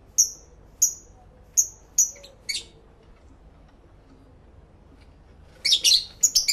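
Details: Several lovebirds kept indoors, heard in stereo via two external camera microphones: five evenly spaced piercing chirps, a long silence, then a rapid, overlapping burst of shrill, scratchy chatter.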